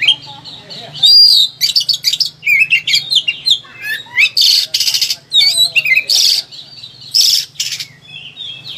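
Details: Agitated Oriental magpie-robin pouring out a rich varied song, used as master audio to train or provoke lazy birds into singing: sliding whistles, rapid twittered phrases and harsh buzzy bursts alternating over nine seconds, a faint low hum underneath.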